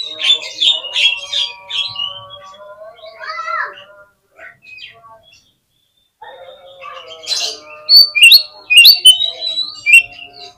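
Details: Oriental magpie-robin lure song meant to prompt quick replies and tail display: soft whistled phrases at first, a short near-silent gap, then loud, fast rising whistles and chatters from about seven seconds on.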